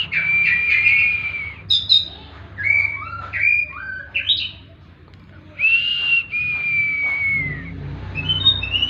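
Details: Oriental magpie-robin in kacer 'tembakan' song, played as therapy: long falling whistles alternate with short upslurred and rising notes and brief pauses, over a low background hum.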